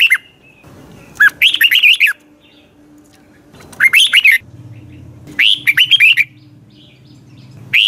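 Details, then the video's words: Morning song of a Red-whiskered bulbul for training birds: loud, choppy bursts of rising and falling chirps, roughly one-second phrases separated by short pauses, with a low mechanical hum underneath. "Luyện chào mào hót sáng"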